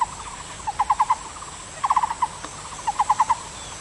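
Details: Taiwan barbet gives three rapid groups of four to five hollow low notes, spaced roughly a second apart, with a quiet hiss throughout.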